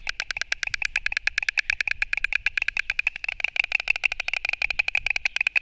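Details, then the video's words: Fight between wild white storks at a nest, Latvia, 29 March 2024: unbroken wooden rattle of rapid knocking beats, quickening slightly toward the end. "Cīņa starp baltajiem stārķiem"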